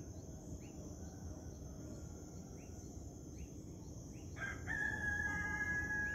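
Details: Rooster at sunrise in the morning, a loud, harsh, drawn-out crow that bursts in after about four seconds and holds to the end, following a run of regularly repeated short chirps from birds and crickets.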